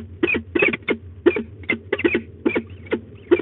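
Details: Peregrine falcons at a nest site in De Mortel, Netherlands, during a nest changeover, 3 May 2021 at 12:50; a rapid series of short, harsh chupping notes, about three per second, over a low steady hum.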